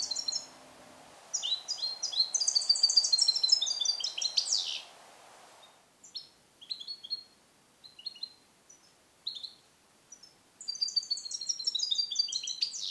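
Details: Song-trained captive European goldfinch born in 2021, Neapolitan-style passage song, recorded isolated in a small carrier; long rapid jingling twitter, then spaced short chirps, then another fast tinkling run, with a soft low hum early on.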